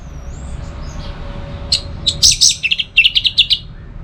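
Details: Orange-headed thrush, recorded as a tutor to bring out the teler style. After a quiet, hissy start, a burst of sharp high chirps is followed by an evenly paced run of short repeated notes.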